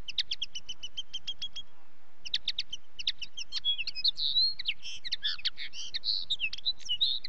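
A common linnet sings a fast run of high, dry twittering notes, pauses briefly, then resumes with a jumbled mix of chirps, trills and short whistles.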